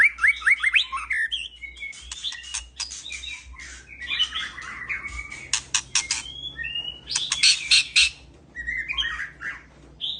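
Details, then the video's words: Caged male white-rumped shama calling to a female for mating, delivering a rich, varied song of fast trills, sharp clicking rattles and loud buzzy bursts mixed with sweet whistled phrases, with short pauses between. "Murai jantan mulai memanggil betina mengajak kawin !!"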